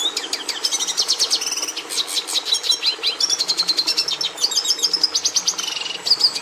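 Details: Red siskin giving a long, rapid twittering song of dense high clicks, buzzes and quick slurred notes, with a short whistled dip near the end.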